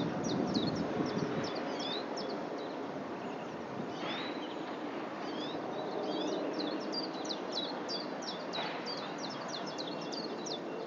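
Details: A male Lesser redpoll gives quick, high, dry chattering notes in rapid runs over a steady rushing background, with a couple of brief whooshes.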